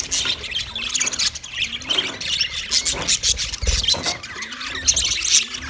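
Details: Several white male budgerigars chirping during mating: a dense, scratchy chatter of high squeaks and harsh squawks that overlap continuously, with a faint low hum pulsing underneath.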